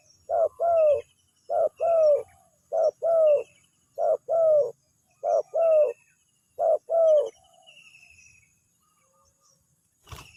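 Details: Spotted dove lure call answered straight away: six evenly spaced coo pairs, a brief note followed by a longer descending hoot, then quiet with faint chirps and a sharp click at the end.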